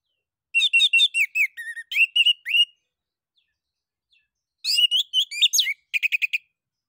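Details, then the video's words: Orange-headed thrush (anis kembang) song for prompting other birds to sing: a fast run of varied whistled and chirping notes for two seconds, a pause, then another rapid burst of slurred whistles and clipped chirps. "ANIS KEMBANG NGEPLONG UNTUK PANCINGAN"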